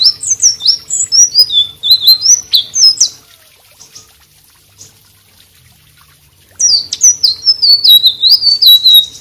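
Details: Vigorous song of a white-rumped shama, meant for training other cage birds: quick bursts of high, sweet whistles and slurred notes for three seconds, a silent pause of several seconds, then another rapid whistled phrase.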